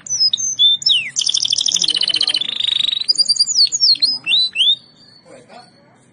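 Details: Caged canary in full song: sharp downslurred whistles, a long fast trill of repeated high notes shifting lower, then scattered sweeping slurs before fading to quiet.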